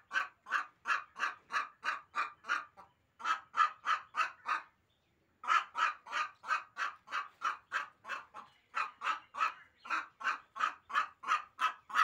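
A hen gives steady, nasal, clucking notes, about three each second, in long runs broken by two brief pauses.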